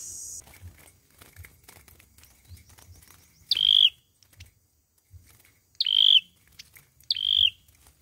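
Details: Olive-backed sunbird singing its fighting song, played as a trapping lure: three loud, clear whistled notes, each opening with a rising flick and then holding level, spaced over several seconds among soft ticking noises.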